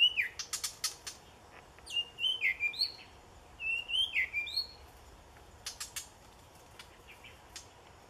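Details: Two white-rumped shamas; clear whistled phrases of swooping, up-and-down notes delivered in two bursts, mixed with sharp dry clicks and ticks before, between and after the phrases, over quiet background.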